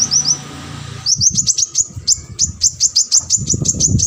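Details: Brown-throated sunbird in full energetic song, recorded as training material for competition birds. Bright, high, sharply falling chirps repeat quickly, several each second, after a short opening phrase, with low rumbling noise underneath.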